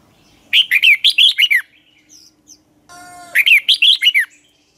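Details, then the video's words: Red-whiskered bulbul used as a lure bird, singing a dueling song: two loud phrases of six or seven fast whistled notes, separated by soft calls and a brief buzzy note. "luyện chào mào hót sáng hót hay dùng thúc bổi, ép giọng rất hay, chào mào căng lửa, chào mào hót đấu"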